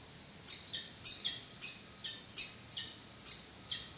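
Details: Peregrine falcons on a nest webcam in March 2019, at the first feed, when an adult arrives with a yellow bird and the chick is first seen: a series of harsh, high, scratchy notes about every half second over steady background hiss.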